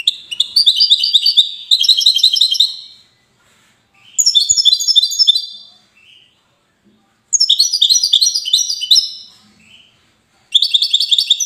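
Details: Goldfinch in Safi city giving repeated song phrases: dense, twittering runs of high, bright notes lasting one to two seconds each, broken by short gaps and occasional soft twitters.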